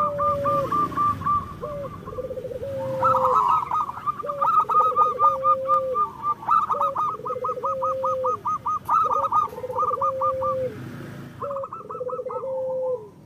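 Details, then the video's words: Local zebra doves in full song, used to prompt lazy doves into calling: low, hollow cooing notes repeated steadily over a soft hiss, with a second, higher, choppier series of coos overlapping throughout. "Perkutut lokal gacor Masteran Perkutut Suara Kristal"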